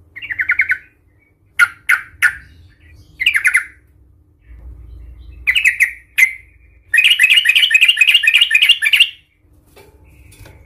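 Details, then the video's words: Sooty-headed bulbul delivering an agitated fighting song meant to provoke rival bulbuls: scattered sharp chirps and short warbled phrases, then a sustained fast chattering trill lasting about two seconds, faint low hum beneath. "Suara trucukan gacor Cuk cuk ngamuk Tarung Garuda - Ampuh untuk pancingan trucukan agar bunyi EMOSI"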